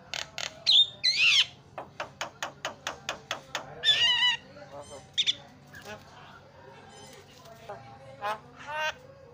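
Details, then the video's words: Javan myna (jalak kebo) tutor song with fast fill phrases: squeaky whistled notes, then a quick run of short clicking calls, followed by raspy buzzes and scattered grating notes. "KICAUAN JALAK SUPER MANTAP"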